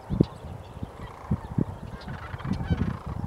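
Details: Sandhill cranes on a foggy October morning at the Woodbridge Ecological Reserve near Woodbridge, California; low, rattling honk-like calls come in short bursts over steady background rumble, with faint higher bird notes.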